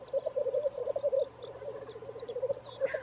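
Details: Black grouse near Wrexham giving a low, continuous bubbling coo that rolls in rapid pulses for about three seconds, with faint thin bird notes higher up.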